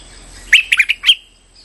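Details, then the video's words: Short Streak-eared bulbul lure phrase for trapping birds: five bright, slurred chirps in quick succession, the last slightly drawn out, over a quiet background. "Suara pikat merbah lekir gacor"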